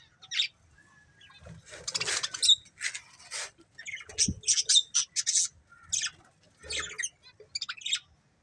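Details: Budgie breeding pair giving harsh scratchy squawks and chirps in irregular bursts, some short and sharp, others drawn-out and raspy, with small gaps between.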